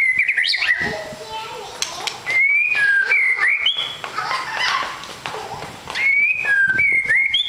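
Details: Long-tailed white-rumped shama, called a super fighter, sings a run of loud whistled phrases. Rising and falling slurs are broken by short sharp notes and quieter gaps.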